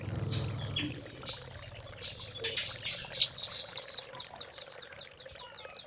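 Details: Velvet-fronted nuthatch, known as rambatan paruh merah, singing a Cililin-style master: a few hesitant high notes over a low hum, building into a regular series of bright, ticking chips about two or three a second.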